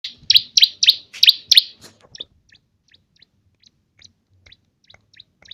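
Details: Cimblek, a small, agile bird kept as a loud singer whose canary-like song is used as filler to train contest songbirds. Five loud, high, buzzy chirps in quick succession open the phrase, then thin scattered ticks follow in near quiet.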